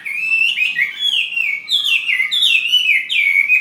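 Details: Fighting-type Chinese hwamei from Ha Giang, Vietnam, singing a continuous loud whistled melody of rising and falling notes with bright, ringing slurs and barely any gaps.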